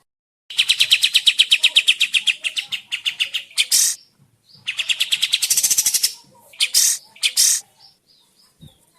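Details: Sooty-headed bulbul lure recording meant to draw replies and song from other birds: fast run of harsh repeated chips, then several loud rasping bursts, then more quick chattering notes.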